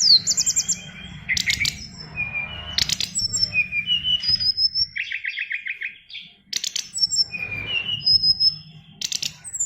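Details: Caged oriental magpie-robin, a fighter-type bird, singing a song packed with mimicked fills: varied clear whistles, harsh buzzy bursts and rapid chattering trills in quick succession, with faint low rumbling behind.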